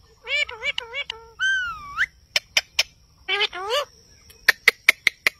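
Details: Indian ringneck parakeet talking at a mirror: a run of harmonic, wavering, speech-like syllables that rise and bend, then a burst of sharp dry clicks and short taps near the end, in a quiet indoor setting.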